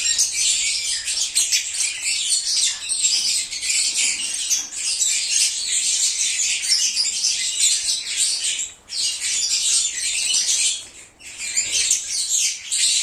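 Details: Cheerful lovebird chorus, singing and cheeping, offered as a call to lure back an escaped pet: continuous piercing, buzzy chatter of overlapping birds, broken by two short lulls near the middle and end.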